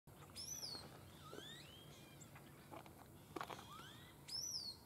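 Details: Crimson-collared grosbeak, possibly a first-year bird, calling at Laguna Atascosa National Wildlife Refuge near Los Fresnos, Texas, on 31 January 2016: thin, high, downslurred whistles, several overlapping, against soft outdoor background noise.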